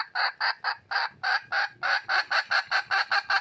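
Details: Red junglefowl hen, wild, calling out to attract a male: a fast run of about fifteen raspy cackling notes that grow slightly quicker and steadier toward the end.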